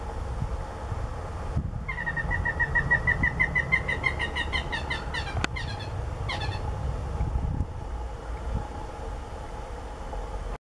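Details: Many-colored rush tyrant at Los Pantanos de Villa marsh, Lima, Peru, 10 July 2017: a rapid series of thin, ticking notes for about four seconds, then a short second burst, over a steady low rumble of traffic.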